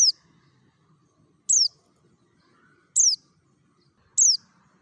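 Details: Mountain white-eye (pleci dakun) from Merapi giving 'ngalas' forest-style notes, played to coax other white-eyes into singing. Four high, falling whistled chips are evenly spaced about one and a half seconds apart against quiet low rumble.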